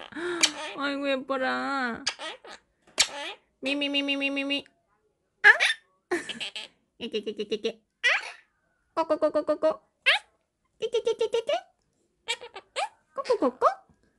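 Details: A pet Quaker (Monk) parrot talks and sings in bursts of human-like words, with sharp, squeaky high notes between them.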